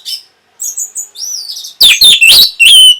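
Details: Orange-headed thrush song meant to trigger breeding drive and replies: soft high whistled slurs, then loud rich warbled notes delivered in a quick rising cluster.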